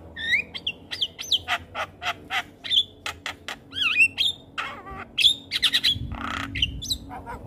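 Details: Javan myna song for teaching young mynas: a busy mix of dry clicks, rasping squawks and loud looping whistles, several sweeping steeply up and down, delivered in quick bursts.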